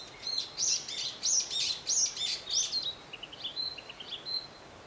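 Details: Narcissus flycatcher song recorded at Matsunoyama Onsen: loud, rich phrases of rolling whistles about every half second. These give way to softer, quicker chirped notes and a thin closing whistle.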